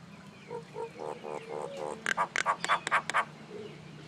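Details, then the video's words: Common myna making a series of low, croaking gurgles that change into several louder, harsh, rasping notes in quick succession. "Mynah Bird Acridotheres tristis, Little Mynah Bird making Noise"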